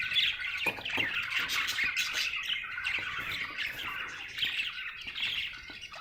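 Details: Happy budgerigar chattering steadily, with rasping squawks and quick twittering notes tumbling over each other at an irregular pace, the stream of sound unbroken throughout.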